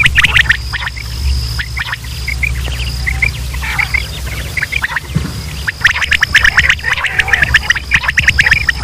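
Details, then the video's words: Quail calls recorded in Pakistan, male and female voices played to attract quail for hunting: scattered short chirps early, then a loud rush of rapid overlapping notes in the last three seconds, with background hum. "sound of quail | new batair ki Awaz صدای بلدرچین"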